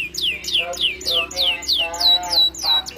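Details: Canary gacor song with melodious cengkok: an evenly spaced series of loud downward-slurring whistles, about three per second, each followed by a softer lower warble, with a rising note at the end.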